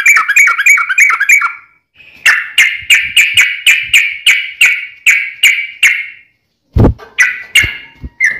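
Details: Caged sooty-headed bulbul in full song with a long rapid run, played to make other kept birds answer: quick chattering notes, then a steady series of about ten separate whistled notes roughly every third of a second, and a single sharp click.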